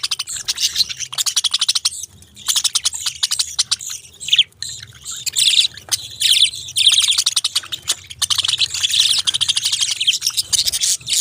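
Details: Long run of budgerigar chatter, rapid clicks and high, buzzy warbles running almost without pause, with louder chirpy phrases toward the end.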